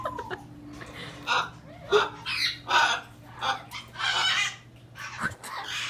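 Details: Indoor hyacinth macaw in Quebec's Laurentides producing strange, unfamiliar noises: irregular gravelly squawks and grunting bursts, roughly one to two per second, with a brief rising note at the start and a steady background hum.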